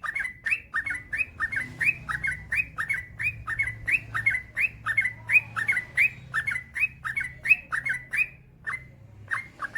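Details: Yellow-vented bulbul (trucukan) in long, nonstop 'gacor ropel panjang' style, used as a master recording to get other bulbuls singing: a steady run of short, bubbly whistled notes, each rising then dipping, about one and a half per second, with a low hum beneath.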